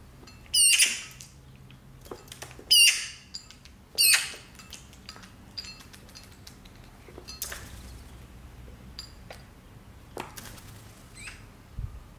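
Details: Eurasian magpie kept in a house giving three loud, harsh, rasping chatter bursts about two seconds apart, followed by quieter clicks and scratches in an otherwise quiet room.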